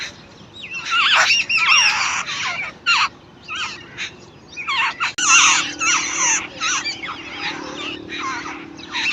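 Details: Young birds begging as the mother bird feeds them. Dense runs of grating, squealing calls with looping, wavering pitch, bunched into noisy clusters with short pauses between.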